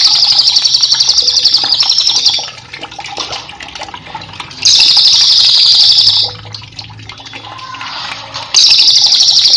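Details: Master song of a Cililin for cage-bird training: three bursts of fast, buzzy, high-pitched trilling, each about two seconds, with gaps of soft chirps and steady water noise between.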